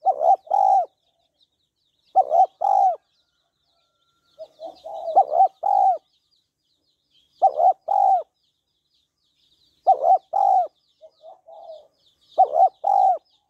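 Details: Spotted dove female calling to rouse a male, giving paired low coos: a quick broken double note followed by a longer throaty one, repeated about every two seconds with brief soft murmurs between some phrases.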